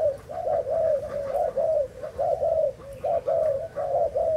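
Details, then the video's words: Spotted dove, Thai strain, cooing on 11 August 2018: mellow arched hoots in fairly regular groups, a short pause near the middle, then more coos. "Cu gáy thailand"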